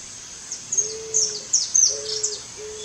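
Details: Eared dove calling: three low, steady, flat cooing notes, each about half a second long, under a busy layer of high, thin chirps and twitters from other birds.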